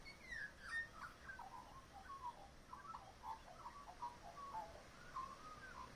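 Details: Back-yard magpie copying other local birds, a continuous soft medley of varied warbles, slurred whistles and quick chirps that rise and fall without a steady rhythm.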